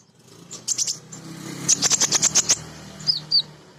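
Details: Lure song of a female kolibri ninja sunbird, meant to provoke other sunbirds to sing: a rapid run of bright, high chirps, then a longer rattling string of sharp notes and two closing thin whistles, over a faint low hum.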